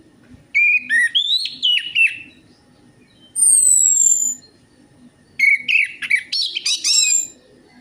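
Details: Orange-headed thrush lure song for getting a reluctant bird to sing. Bursts of varied warbling and chirping come in short phrases, separated by a long, pure, high whistle that slides downward. A livelier, jumbled chatter closes the passage.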